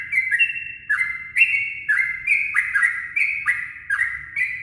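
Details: Dawn lure song of a yellow-vented bulbul, a steady chain of short liquid phrases with quick downward slurs, delivered about twice a second without pause, with a soft low background rumble.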